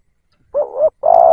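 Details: Caged decoy spotted dove used to lure wild doves: a short low coo followed by a longer, steadier coo, with silence beforehand.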